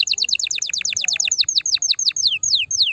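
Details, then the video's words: Canary song meant to stimulate the female: quick repeated chirping notes that slow down, ending in a few long whistled downward slides. "Chant de CANARI pour STIMULER la FEMELLE"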